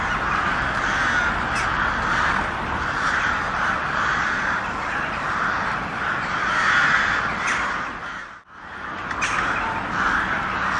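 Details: Many crows cawing together, very loud, as a thick wall of raspy overlapping caws that briefly drops out about two-thirds of the way through before the clamour resumes.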